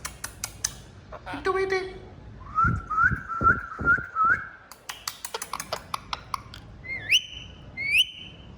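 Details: Pet parrot whistling a run of five short, rising whistled notes, then sharp upswept whistles, with clicks and a few squawks around them.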